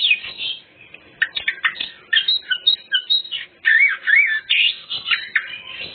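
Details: Greater green leafbird in dense, continuous song full of mimicked fills, used to lure untrained birds: tangled high whistles, warbles and sweeping slurs with hardly a break over six seconds.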